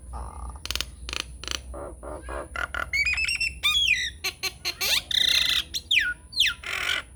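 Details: Lure song of a Nias hill myna, used to prompt silent mynas into responding; rapid harsh rasps give way to clear whistled slurs sweeping up and down, then a dense buzzy burst and more squawks.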